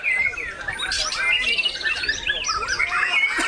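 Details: White-rumped shama during a bowing display, delivering a busy mix of whistled and slurred notes with harsh chatter amid noisy surroundings.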